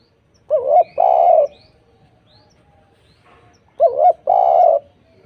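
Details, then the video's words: A spotted dove lure recording meant to make other doves respond. A wavering coo and a long, throaty held coo form a pair, and the pair repeats after about three seconds. "PANCINGAN TEKUKUR gacor suara merdu"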